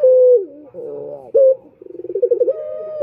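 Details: Short stretch of a male Barbary dove (puter) lure call: the end of a long level coo, a rolled trill, a brief clipped note, then quickening pulses swelling into a new sustained coo.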